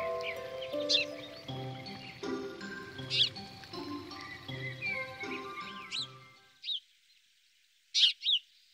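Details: House sparrow at a garden feeding site in Goch, Germany, giving short, sharp chirps, scattered singly and in pairs, over gentle background music that fades out, leaving the last few chirps alone.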